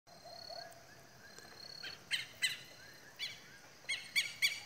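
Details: At dusk on a farm, as the sun sets behind a mountain, southern lapwings give harsh, strident calls in bursts of two or three, growing louder toward the end before flying off to roost, over faint thin whistles.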